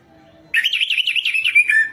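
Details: Orange-headed thrush in rich, rapid warbling song, used as a lure call, a fast run of wavering, slurred notes around a bright mid-high pitch, starting abruptly after a brief quiet.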